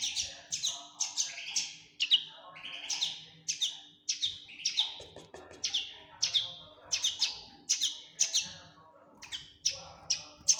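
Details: Common linnet fledgling calling persistently: loud, high, clipped chirps repeated roughly every half second, often in pairs, in a clean, quiet setting.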